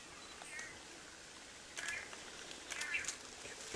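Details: Long-tailed manakin at a lek giving a few soft, slurred whistled notes in two short bursts, set against quiet forest hiss and faint high insect-like ticks.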